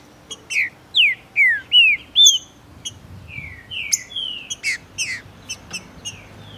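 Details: Brazilian male Green-winged saltator, fired up by a female's presence in breeding and tournament season, sings to unlock another bird's song: a quick sequence of clear slurred whistles, alternately falling and rising, with a few sharp ticks.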